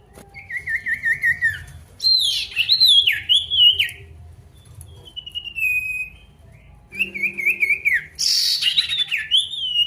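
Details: Male pied bush chat singing at an opponent, used to rouse birds that rarely sing. A quavering whistled trill, a rising burst of chirps, a thin steady whistle, then another trill and a harsh, noisy rasp.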